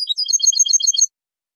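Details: European goldfinch song for teaching young birds, recorded in 2023: about a second of rapid, high, tinkling twitter notes, then silence.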